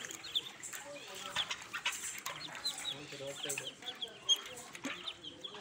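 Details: A mother duck and her ducklings swimming in a tub: a steady stream of high, thin duckling peeps over the lower, soft clucking calls, continuous and overlapping, with faint splashing and voices.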